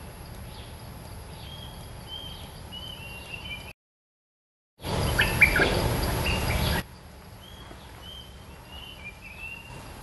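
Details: Red-eyed bulbul, a territory holder described as clever and a fine singer that swoops near but will not perch on a lure cage, gives short clear whistled notes in quick phrases, broken by a silent gap and a burst of noise.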